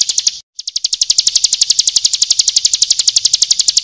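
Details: Ciblek kristal, or Bar-winged prinia, in a training song: a quick high trill, a split-second break, then a long uninterrupted string of sharp, bright notes repeated very fast and evenly.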